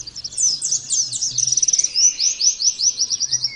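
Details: Pleci (Oriental white-eye) delivering rapid "nembak"-style song for training: unbroken, very high twittering with a quick stuttered trill, then a regular series of short rising whistled chirps, over a faint low hum.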